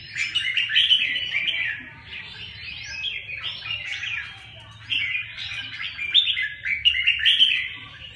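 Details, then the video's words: Song of a red-whiskered bulbul: energetic warbling runs of sweet, slurred whistles, rising accents and short pauses, repeated in several bursts with steady low background hum. "kênh chào mào"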